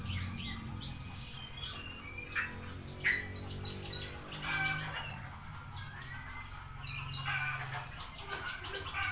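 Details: Javan bushlark singing on 24 September at ten o'clock: a busy, varied stream of high chirps, trills and short rising whistles, with quick runs of repeated bright notes and a steady low hum underneath.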